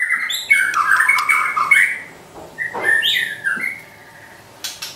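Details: Energetic white-rumped shama trotol song meant to provoke a pet shama: a rolling series of bright whistles with harsh undertones, a brief lull, then a few rising notes over a faint background hiss.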